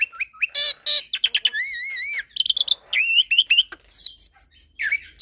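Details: Black-collared starling mixed with Nias myna and their hybrid, singing with unique fill-ins: wavering, warbled whistles, quick chip runs and harsh buzzy bursts in rapid sequence.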